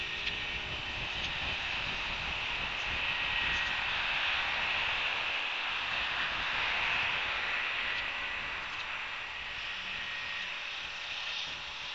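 A steady, broadband roar like distant engines or strong wind fills the clip, with no clear animal calls.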